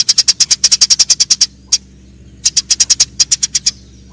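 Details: Fight calls of Eurasian tree sparrow: a fast string of shrill chirps, a single isolated note, then another quick series, over a low steady hum.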